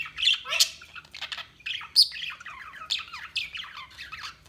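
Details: Budgies chirping: a busy, continuous warble of squeaky chirps, scratchy chatters and short rising and falling notes tumbling over one another with barely a pause, over a faint low hum.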